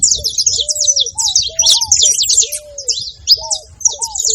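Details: Saffron finch: crowded high chirps and scratchy notes, loud at first and then broken into shorter bursts. Long lower whistles arch softly underneath.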